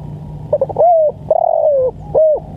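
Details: A spotted dove calls for training and luring birds with one full phrase. Stuttered short notes run into a rising-then-falling coo, then a long slurred descending coo and a closing short coo, over a low hum.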